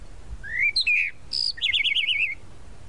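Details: Tropical mockingbird, or sabiá-da-praia, singing a rising whistle, a harsher buzzy note, a high thin whistle, then a fast warbling trill of repeated wavering notes.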